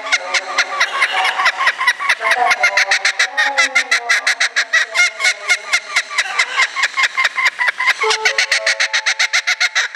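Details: Laughing kookaburra kept at a Japanese bird park, set off by the loudspeaker closing announcement: an ear-piercing, continuous cackle of fast, evenly pulsed hooting notes, rising and falling in pitch for ten seconds.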